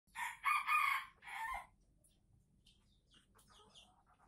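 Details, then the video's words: Red junglefowl from Aceh, an original lure recording for attracting birds: a short, harsh, broken crow of two or three rough bursts lasting about a second and a half, then quiet with faint scattered rustles. "Ayam Hutan Aceh # Pikat Ori"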